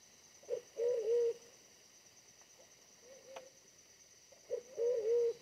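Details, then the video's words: Wild pigeon, small but fierce, answering during decoy trapping: two emphatic rolling coo phrases about four seconds apart, each led by a clipped note, with quieter humming between and high insect buzz. "mikat merpati hutan BL bodi lebih kecil dari pikat tapi ganas banget"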